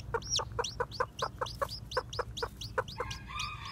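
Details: Freshly hatched Japanese bantam chicks, white with black tails, out for a walk: about four sharp descending peeps per second, ending in a brief harsher, buzzier note.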